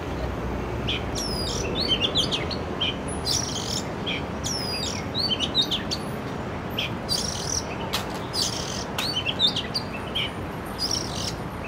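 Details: Sustained song from an urban Oriental magpie-robin, recorded with a Canon R6: repeated sweeping whistles and bright chirps in rapid varied phrases throughout, over continuous low city hum.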